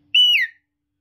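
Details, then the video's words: Short high whistle from a captive talking common hill myna: a steady bright tone held briefly, then sliding down in pitch and fading, in otherwise quiet surroundings. "মানুষের মতো কথা বলা ময়না পাখি,,, Talking Hill Myna Bird"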